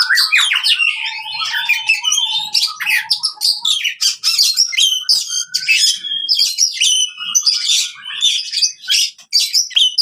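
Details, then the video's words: Oriental magpie-robin fighting song, used on birds that have stopped singing: loud continuous mix of harsh chatter, mimicked twitters and repeated lower whistled notes. "KACER TARUNG COCOK UNTUK KACER MACET BUNYI"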